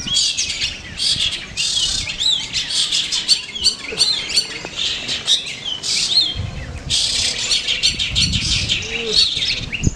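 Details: Long-tailed shrike at a GMKM bird singing practice contest in Manden, singing actively and showing off its imitated song repertoire: dense, rapid high scratchy phrases and chattering bursts with short whistled notes, nearly continuous, with faint crowd noise below.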